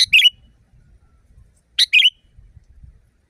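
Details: Sooty-headed bulbul with a loud natural voice. Bright double-noted chirps repeat roughly every one and three-quarter seconds, each a sharp burst followed by a slurred, dropping note, over faint low noise.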